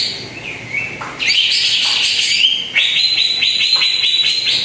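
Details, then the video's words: Greater green leafbird song used as a lure recording to get a quiet bird singing: a bright, varied chatter of rising whistled notes, fast and repeated over twice a second after a softer opening. "PANCINGAN CUCAK IJO ANDA YANG JARANG BUNYI"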